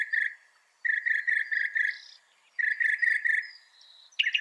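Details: Northern mockingbird, said to be able to copy 200 sounds, singing: buzzy, harmonic mid-pitched notes strung in rapid runs of five to six, broken by short pauses, ending on a sharp higher note.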